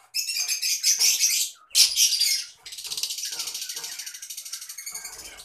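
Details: Adult green-colored Fischer's lovebird, loud and close, with two bursts of harsh, shrill screeching chatter followed by a rapid, buzzy, evenly pulsed high trill lasting several seconds.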